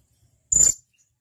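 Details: Blue-crowned hanging parrot giving a single sharp, very high thin whistled call, about a quarter second long, used as training audio for caged songbirds; otherwise quiet.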